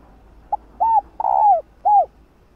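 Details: Female spotted dove cooing to stimulate males to call: four soft, hollow coo notes, a short first note followed by a longer drawn-out coo with a falling end, then a final rounded coo, with quiet background.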